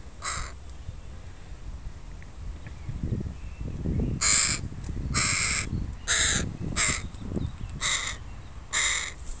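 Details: In a park, a crow family with young crows, recorded on a Sunday. Eight loud, raspy caws in irregular bursts, some close together, over low rustling and scuffing noises nearby.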